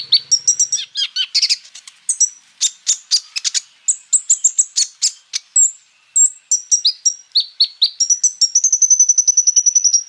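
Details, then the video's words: Lure song of an olive-backed sunbird packed with 'roll tembak' filler phrases meant to be copied by other sunbirds: varied piercing chirps and buzzy bursts, a brief pause, then a fast, even, high trill to the end. "KOLIBRI NINJA FULL MATERI ROLL TEMBAK ISIAN MUDAH DITIRUKAN BURUNG KONIN LAIN AGAR BUNYI GACOR"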